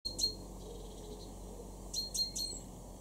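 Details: Great tit in a garden in Weener, East Frisia, northwest Germany, in May 2024, giving thin, high, clipped notes: one near the start, then a quick run of three about two seconds later, over a steady low rumble.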